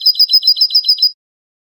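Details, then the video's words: Spanish goldfinch singing in the canto de salón style: a short, even run of seven bright, ringing high notes, one every sixth of a second, then a sudden stop. No other sounds. "CANTO DE SALON JILGUERO"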